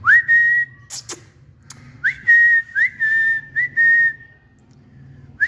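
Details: Pet green parrots on a new table and stand in a garden; clear whistled notes at a steady middle pitch, each rising quickly at the start, given in a loose series of five with short gaps, over a faint low hum.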